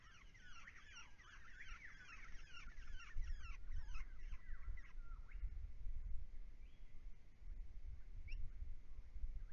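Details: Brown-headed honeyeaters feeding each other and mating, a regular visitor to ponds: a rapid run of sharp chattering notes in the first half, then a few scattered calls, with a constant low rumble of background noise.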